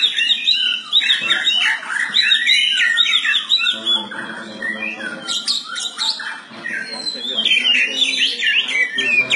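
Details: Oriental magpie-robin, a kept songbird (kacer), singing in the morning: varied whistled and chattering phrases sweeping up and down, continuous and busy, with a low murmur of voices beneath.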